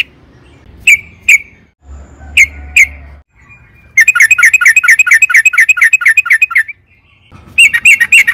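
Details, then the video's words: Sooty-headed bulbul, a lure recording to get other bulbuls singing. A few separate whistled notes, then a fast, dense rolling run of chirps lasting almost three seconds, and a final burst after a pause. "trucukan gacor EMOSI ROPEL PANJANG PANCINGAN TRUCUKAN AGAR BUNYI"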